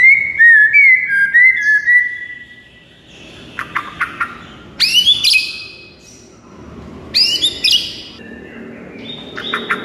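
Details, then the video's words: White-rumped shama song for prompting a silent bird to sing: opening run of fluid warbled whistles, then separated bursts of clipped chatter and sharp high upswept notes. "JADIKAN MURAI BATU BISU LANGSUNG NGAMUK DAN GACOR MENDENGARNYA"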